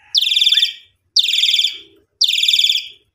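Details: {'caption': 'Asian pied starling, kept bird used as a lure to restart singing after a holiday absence: loud harsh rasping bursts, each about half a second with a rapid pulsed texture, repeated roughly once a second, with a short rising whistle between.'}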